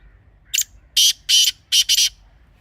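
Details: Grey francolin (teetar) calling sound for hunting: a short lead-in note followed by two loud grating notes and a doubled pair, a rhythmic harsh phrase over quiet background.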